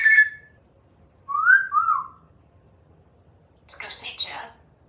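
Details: African grey parrot kept as a pet in Texas, whistling an original tune on a screen porch for birds and squirrels: short whistles, then two mid-pitched whistled notes, ending in a harsher, noisy squawk-like burst.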